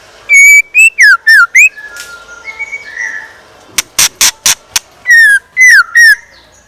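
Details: Morning song of a decoy scarlet minivet: bright whistled notes that dip and rise, repeated in bursts of four or five, with a soft warble in the middle. A rapid run of loud, sharp clicks also sounds.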